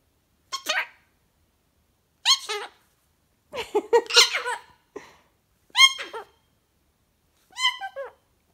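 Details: Pet cockatoo indoors chattering with its owner, giving squeaky, speech-like phrases in six bursts over about eight seconds, each a cluster of rasping, falling harmonic syllables, with silence between.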